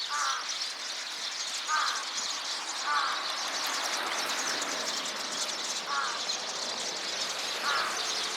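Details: A chorus of sparrows, recorded 26 November 2024: a dense, continuous wash of high chirping and twittering, with a lower, harsher call repeating about every 1.5 seconds above it.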